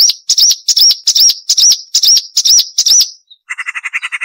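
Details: Sharp marsh warbler song meant as a tutoring recording for songbirds: about eight arched, ringing high notes repeated roughly every third of a second, then a quick series of buzzy, rattling notes.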